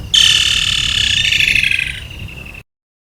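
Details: Woodland kingfisher from Africa delivering a loud, rapid trilled call of fast repeated pulses, starting strong and high, then weakening and dropping slightly in pitch over about two and a half seconds.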